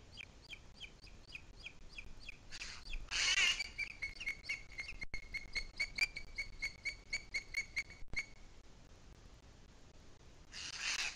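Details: Booted eagle, 2 July 2021 at 17:53, Sierra de Guadarrama, delivering a long, brisk chatter of high whistled notes, accelerating into a clear ringing trill before stopping, with a loud rush of noise near the start and end.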